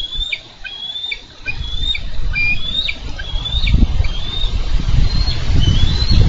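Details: A bald eagle pair on a Minnesota nest, filmed on 4 July 2013 while wrestling over a carp the male brought; a steady run of high, slurred whistled chirps repeats several times a second above loud low wind rumble.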